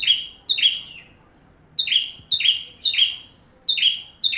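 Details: Full song of a bar-winged prinia used to teach magpie-robins: bright, high, downward-slurring notes repeated in pairs and threes, with a longer gap after the opening pair.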